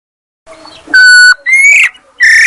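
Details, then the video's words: Female Chinese hwamei, dated 22 July 2021: a soft murmur, then a loud steady whistled note, a rising slurred whistle and a final strong whistle. The notes are short and closely spaced against a quiet background. "hoạ mi đất mái chuẩn. Suab poj noog kaim kauj quaj zoo heev"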